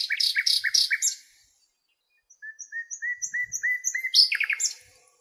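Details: Wild nightingale recorded in Greek countryside among lilacs: a loud, fast triple-note churring phrase, silence, then a string of clear rising whistles swelling in volume before breaking into a rapid rattling trill.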